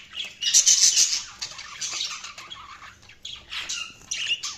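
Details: Budgies chattering, a loud opening burst of piercing high squeaks, then continuous warbling twitter and scattered chirps.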